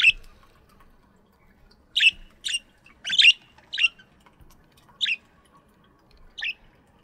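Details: Aviary budgies in the morning: a handful of sharp, scratchy chirps, some in quick pairs, spread over a few seconds against near silence.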